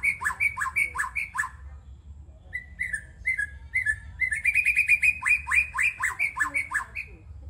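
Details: Young white-rumped shama from the forest singing: sharp slurred notes in quick bursts, a brief pause, then spaced whistles building into a fast rattling series of bright, descending notes; faint low background hum throughout.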